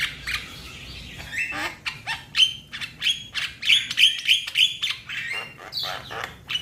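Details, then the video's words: Young Javan myna calling to its companions, a series of harsh squawks and sharp whistled notes repeated about twice a second, some with a ringing metallic tone. "Jalak kebo Muda Memanggil Kawan Suara Asli Jalak Kebo"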